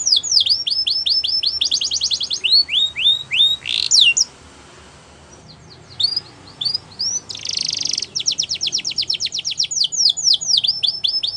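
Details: Champion Belgian canary song for training young canaries: swooping high notes and fast buzzy rolls, a pause of near silence mid-way, then resuming with a dense buzzy roll and rapid repeated downslurred whistles.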